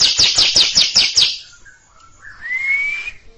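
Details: Long ngekek song of a greater green leafbird near a junior bird: a run of six or seven rapid, rasping chatter notes fades, then one clear whistle rises slowly.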